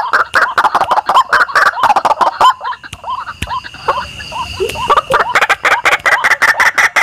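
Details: Indonesian lure for attracting white-breasted waterhen: rough croaking series that eases into softer hooked notes midway, then builds again into dense harsh bursts.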